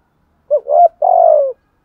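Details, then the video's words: Spotted dove kept as a decoy bird, cooing in gù bài lối style: a single low phrase with a quick two-note lead-in and a drawn-out, gently descending final coo. "Thúc gù bài lối | Cu gáy mồi bài bản"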